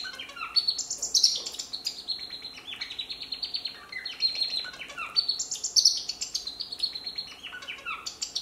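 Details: A male African silverbill sings a high, rapid twittering phrase of stepped, descending notes, repeated about every four to five seconds; nothing else is heard.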